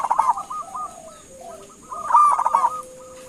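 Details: Zebra dove of local stock calling to prompt replies: bubbling coos at the start, a run of short clipped notes and soft low coos, then a loud rolling burst and a long drawn tone, high hiss throughout.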